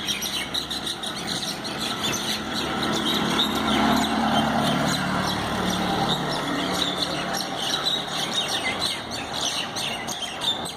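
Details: Common mynas fighting in a dense, harsh chatter of squawks and chirps, over a low engine rumble and outdoor noise.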